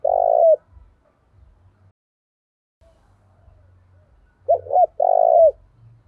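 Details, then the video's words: Spotted dove used as a caged decoy, cooing to provoke fights; a long note ends one phrase, then after a gap come two quick hooked notes and a drawn-out, level hoot. "Chim Cu Mồi/ cu gáy thúc đấu cực sung vang một vùng"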